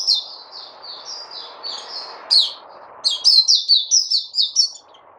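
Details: Caged white-eye (puteh) on a fruit diet, recorded 29 August 2020, singing thin high warbled phrases: soft slurred notes at first, then a louder run of quick sharp downslurred chirps, over a low steady hum.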